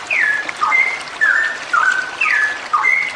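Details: A female straw-headed bulbul in full song, long 'ropel' style. Sweet whistles glide downward in short bursts, a few notes each, recurring every half second or so over a steady background hiss.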